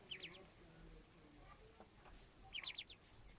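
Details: Tiny partridge chicks giving quick bursts of high, thin downslurred cheeps, one cluster at the start and another near the end, with soft low rustling between.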